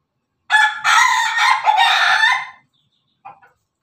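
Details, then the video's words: Laughing chicken rooster, a cross of Ketawa, Pelung and Bangkok fowl, gives one loud crow about two seconds long, rough and harmonic, with a few choppy breaks and a slight dip near its end, followed by a brief short note. "suara ayam jago ketawa berkokok"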